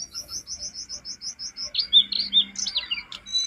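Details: Jongkangan from a master recording for training cage birds: a steady series of about a dozen short high chirps, then louder whistled and buzzy slurred notes.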